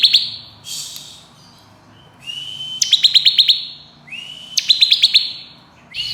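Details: Bar-winged prinia song in the ngebren, nembak style, intended for training songbirds: upward-sliding whistles alternating with short bursts of five or six rapid high notes, with quiet pauses between phrases.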